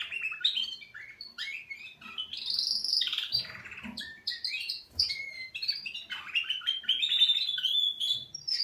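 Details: Canaries giving their morning wake-up song, a continuous, lively song of bright trills, rolling warbles and high chirps, with sweeping whistled notes and quick repeated phrases throughout.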